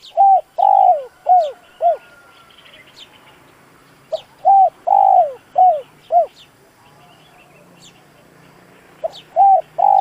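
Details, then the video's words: Spotted dove repeating its cooing phrase to stimulate a slow decoy bird: three bursts of four or five rough coos a few seconds apart, each with one lengthened note, with scattered thin chirps in the background. "Tiếng chim cu gáy dùng kích bổi lâu nổi, bổi khó cỡ nào nghe là gáy"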